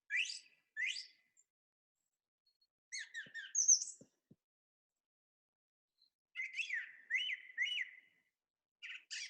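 A song thrush sings short, bright phrases of chirps and whistles, several of them repeated two or three times in a row, with pauses between bursts.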